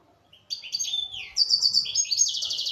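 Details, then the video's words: A local European goldfinch from Algeria, kept as a cage bird, delivers a dense burst of high twittering song with slurred whistles and fast buzzy trills, no pauses. "تغريد حسون محلي جزائري ( تاع سيكتور )"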